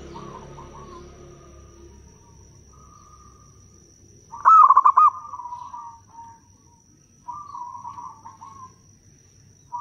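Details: Local zebra doves used as a lure to call wild doves. A single loud, stuttering coo phrase stands out among softer, distant rolling coos from other doves. A low background rumble is audible.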